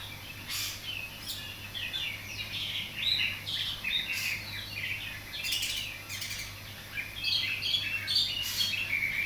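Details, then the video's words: A young greater green leafbird learning to sing, tutored by other songbirds: rapid, irregular high twitters and chirpy phrases, about two per second, over a steady low hum with occasional clicks. "cucak ijo belajar"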